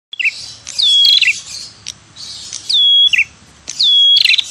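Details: A red-headed prinia (prenjak kepala merah) gives a lure call: a phrase repeated about every second and a half, a buzzy rattling burst, a clear whistle sliding down, then quick chirps.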